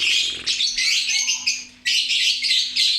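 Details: Lovebird chattering loudly and busily: a dense, continuous stream of high, scratchy chirps and twitters, briefly dropping away near the middle before resuming at full intensity, with a faint steady hum below.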